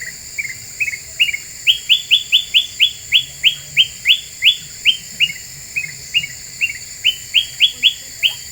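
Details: Black-capped bulbul in full voice on a lure recording meant to agitate other birds: long rhythmic series of rising whistled notes, several bursts of four or five, some softer lower notes between, over a thin continuous high whine.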